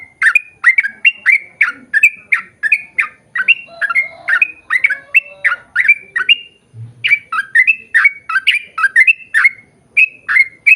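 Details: A sooty-headed bulbul sings persistently in a long 'ropel' run meant to make others of its kind reply: dense, chattering, slurred notes, a brief pause midway, then the quick series resumes.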